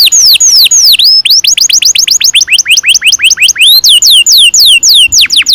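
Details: Canary singing a long roll meant to train young canaries to sing, made of loud whistled sweeps repeated several times a second, some rising and some falling, grouped into distinct tours.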